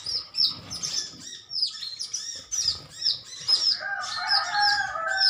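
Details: Metallic-greenish sunbirds in a colony calling back and forth: quick, high, slurred chirps tumble together, then lower whistled notes join toward the end.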